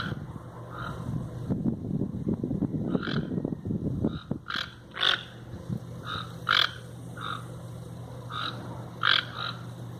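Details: Wild toucans: after a few seconds of low rumbling noise, a run of short, raspy croaking notes follows at irregular intervals, a few notably louder.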